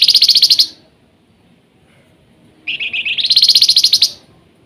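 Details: Active flamboyan song in the nyiul style: a short, very high buzzy trill, a quiet pause of two seconds, then a longer trill that climbs in pitch.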